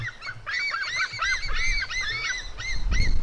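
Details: Two white-tailed eagle eaglets, a female and her brother, fighting; a run of harsh, arched squealing notes, each rising then falling, tumbling in quick succession with brief gaps, over a low rumbling background.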